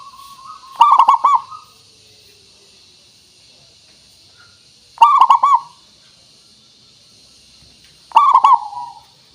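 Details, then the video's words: Zebra dove, a local perkutut with a crystal-clear voice played as a lure for other birds: three loud bubbly cooing phrases about four seconds apart over a faint steady high hiss. "Suara Pancingan Burung Perkutut Pikat Paling Bagus Supaya Bunyi"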